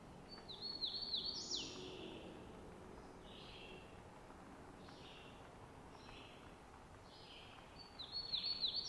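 Great crested flycatcher giving sharp, high, slurred notes in quick bursts at the start and end, with fainter calls between over steady low background noise.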